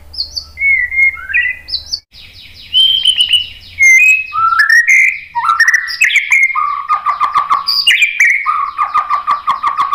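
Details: Varied white-rumped shama song for luring other birds into answering: rich fluty whistles, swooping slurs and stuttering chatter weave together, growing denser and faster toward a busy, rapidly repeated close.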